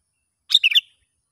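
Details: A sooty-headed bulbul outdoors in the wild, recorded while a young lure bird is tested, gives one quick liquid, bubbling phrase of three or four run-together notes.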